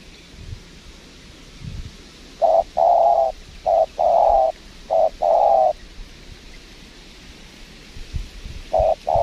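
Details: After a quiet start, a spotted dove answers a lure bird at a windy Lombok trapping site with low, hollow coos in short-long pairs, a burst of six, then two more near the end.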